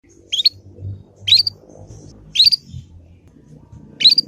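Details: Young Yorkshire canary learning the ngriwik sound, kept as a lure to prompt other canaries to answer and learn. Four short, bright chirps sweep upward, spaced about one second apart, over a faint low hum.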